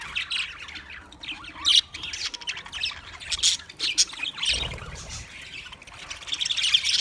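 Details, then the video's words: Budgerigar chirping and chatter: continuous high twittering with sharp squawks and rapid warbled notes throughout, plus a low rumble in the middle. "sounds of budgies chirping"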